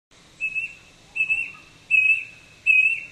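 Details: Brush cuckoo calling at Kobble Creek, south-east Queensland, on a dull day: clear, steady whistled notes, each about a quarter second long, repeated four times at regular intervals, with faint background hiss.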